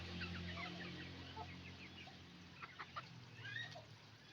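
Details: Roosters and hens making noise together on a chicken farm: overlapping short clucks and cackles come in uneven bursts, several birds at once. A steady low mechanical hum runs underneath throughout.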